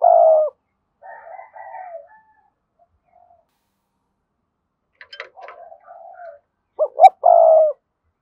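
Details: Decoy spotted dove with a lively 'thúc' voice. A long loud coo is followed by soft wavering notes, a brief click-like sound and more low murmuring. It ends with a crisp double note and another sustained coo.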